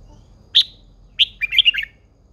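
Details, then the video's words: Caged red-whiskered bulbul female, an older wild-caught bird kept to rouse males to sing; two strong single notes a little apart, then a rapid, cheerful run of liquid, warbling whistles. "Chào mào MÁI GIÀ RỪNG || Chào mào MÁI THÚC TRỐNG căng lửa."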